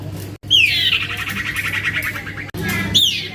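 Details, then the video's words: Juvenile male common iora (cipoh, sirtu) calling busily: a high down-slurred whistle opens a fast, buzzy rattling trill lasting about two seconds, and a second whistle starts the next call at the end. A low background hum is audible. "Anakan Cipoh atau Sirtu Gacor"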